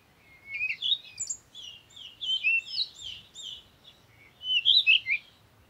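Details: Parakeet chattering in a busy run of short, high, scratchy chirps and warbled notes, with a louder burst near the end over a faint low background rumble.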